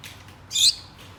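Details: Gouldian finch kept as a pet with one companion, calling its mate: a faint high note, then one loud, short, high buzzy call, over low indoor hum.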